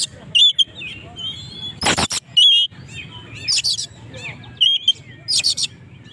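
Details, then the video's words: Oriental magpie-robin in lively song to provoke rival birds; bright whistled notes and slurs interrupted by loud scratchy bursts, with one strong noisy crash near the middle and a low background hum. "burung Kacer gacor ngobra!! pancingan lawan"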